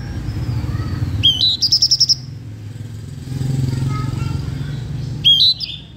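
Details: Blue-winged minla giving lure song to entice other birds: a rising whistle followed by a rapid trill of about seven high repeated notes, then a quieter stretch with low rumble and another rising whistled phrase.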